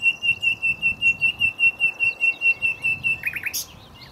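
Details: A common nightingale at Cowpen Bewley, recorded close up, sings a fast, even string of about sixteen identical piping notes, roughly five a second, ending in a brief low, buzzy flourish.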